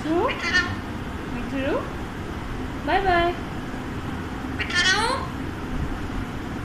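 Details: Pet Alexandrine parakeet talking in four separate, speech-like phrases, each sweeping upward with stacked harmonics, roughly every one to one and a half seconds, against a steady low hum.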